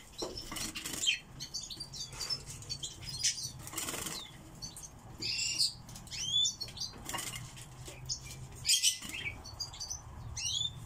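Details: Pet song thrush gives bright, high whistled and chirping notes in short bursts, broken by wing flutters and clattering knocks close by.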